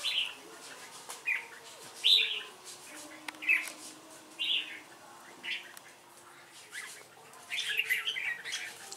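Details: Red-whiskered bulbul singing competitively, two birds facing a decoy bird. Sparse short whistled bursts come every second or so against a hissy background and a soft low hum.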